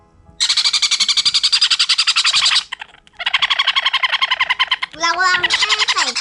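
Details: Young hand-fed sun conure chicks, about 23 days old, give loud, harsh, rapidly pulsing begging calls at breakfast feeding, in long bursts of about three to four pulses a second, with brief pauses between bursts.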